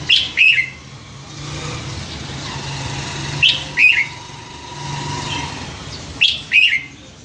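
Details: Caged Red-whiskered bulbul, raised since capture as a scruffy youngster near a home canal, sings three short lively whistled phrases spaced about three seconds apart over a low steady hum.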